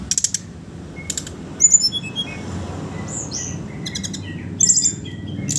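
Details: Sooty-headed bulbul singing its 'ngeriwik ngeplong' chatter, used to coax untrained young birds into song: brisk rattled bursts, high bright whistles and slurred descending notes, alternating with short pauses, steady low hum beneath.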